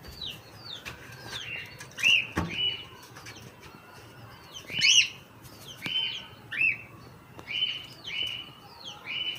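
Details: Hand-tame cockatiel giving a series of sharp, high calls, each a quick upward flick settling into a brief flat tone, repeated roughly once a second with uneven spacing, over faint rustling and wing sounds.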